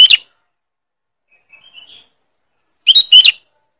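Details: Sooty-headed bulbul giving a loud, sharp lure call: a brief harsh chirp, a faint soft whistled phrase, then a double burst of bright chirps.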